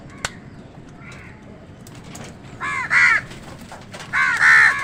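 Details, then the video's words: Crows squabble with wild birds over food. Faint chirps and a click lead into two bursts of harsh, raspy cawing near the end, the second louder and longer. "Crow Sound কাকের ডাক"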